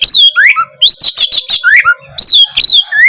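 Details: Oriental magpie-robin singing vigorously, used as a tutor recording to provoke silent, sluggish magpie-robins into singing: loud whistled notes sweeping down and up, interleaved with harsh rasping bursts in quick phrases with short pauses.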